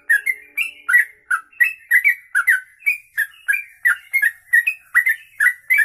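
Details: Sooty-headed bulbul in continuous rapid song, the long ropelan kongslet style: unbroken chain of clear, bouncy whistled chirps, each a quick down-up slur, tumbling out about three per second.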